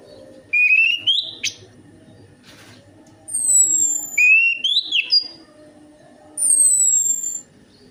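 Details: Lure song of an orange-headed thrush meant to prompt a silent bird to sing: a rising whistled slur, a brief sharp note, then another phrase of clear upward whistles and very high, thin, falling strokes.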